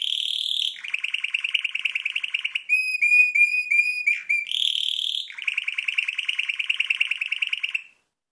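A red canary sings long, fast rattling trills at a high pitch. Midway they break into a run of clear whistled notes before the rolling trills return.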